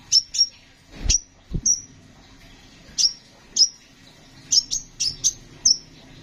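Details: Konin sunbird in energetic song for training other songbirds: bursts of thin, piercing high chirps, some doubled, clustering toward the end, with two dull knocks near the start.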